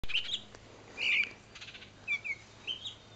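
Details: Baltimore oriole parents upset by a person standing near their fallen fledgling, which they have tended on the ground for several days; a few sharp high chirps, one louder harsh burst near the middle, then short scattered notes.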